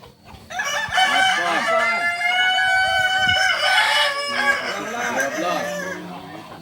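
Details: Kukuak Balenggek chicken, a singing chicken native to Solok, delivering a long harmonic crow of about three and a half seconds that holds a bright, even pitch, then trails into shorter arched notes as other fowl cluck nearby.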